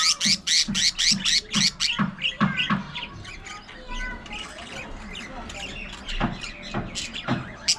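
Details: Pet budgies at play and fighting: a fast run of loud scratchy squawks, four or five a second, then softer warbled twittering and scattered clicks.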